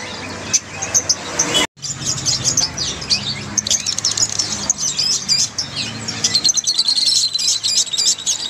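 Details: Lovebirds in a large group, used to coax a silent lovebird into sound: rough, hissy chatter at first, then clearer high chirps and trilled bursts building toward the end.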